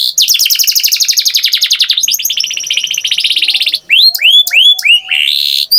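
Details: Singing canary delivering a long, fast, buzzy rattling trill that shifts tempo midway, followed by separate loud down-slurred whistled notes spaced roughly every half second.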